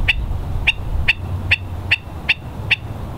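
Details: Ae'o or Hawaiian stilts (Himantopus mexicanus knudseni) at low tide, West Loch Shoreline Park, Oahu, 16 March 2013; seven loud, clipped yapping notes repeated roughly every half second, steady and insistent, with low wind noise beneath.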